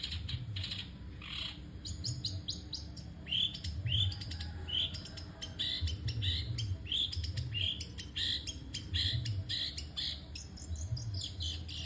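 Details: Long-tailed shrike singing without pause: rapid high chattering and sweeping whistled notes, many short slurred phrases tumbling one after another, over a low humming background.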